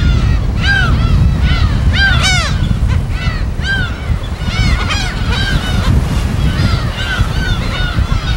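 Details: Wild gull colony on an uninhabited West Sea island, field recording: a dense chorus of ringing, down-curving squeals and yelps, loudest in the first three seconds, set against a constant surf roar.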